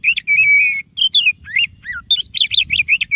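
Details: White-rumped shama, white-breasted variety, song for prompting a quiet shama: opens with a long level whistle, then sweeping slurs, a down-swept note and a fast run of sharp repeated chatters ending on a steady tone.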